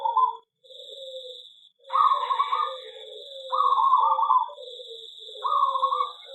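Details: Zebra dove in an aviary sings three rolling, trilled coo phrases about two seconds apart, with lower soft cooing beneath and a constant high-pitched whine throughout.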